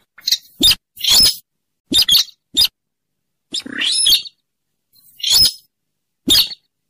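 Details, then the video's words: Rail call played as a trapping lure, bird of swamps near rivers and lakes: harsh, clipped high squeaks and chattering bursts, some doubled, repeated at irregular intervals of roughly half a second to a second, clean background. "suara pikat burung sintaran sawah / weris /mandar dengkur ampuh"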